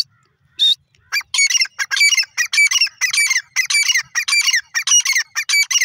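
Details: Grey francolin, known as dakhni or irani teetar, calling in a fast, harsh series of ringing notes, irregular and almost unbroken after one opening note.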